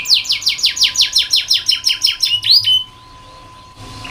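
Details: Canary used as a tutor recording for training young canaries to sing: a fast run of loud, high descending sweeps repeated about three per second, ending in a rising whistle, then quiet with a steady low hum.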